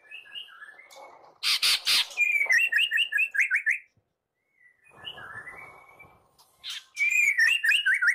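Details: White-rumped shama song used as a morning lure to prompt singing: soft rising whistles, harsh rasping bursts, then a rapid series of sharp repeated notes, a silent gap, and another quick run of notes.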